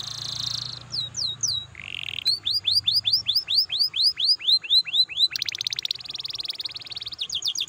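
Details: Canary song used to stimulate other canaries to sing: a buzzy opening phrase, a low buzz, then a long run of repeated arching whistled notes, followed by a rapid metallic trill, over faint background hum.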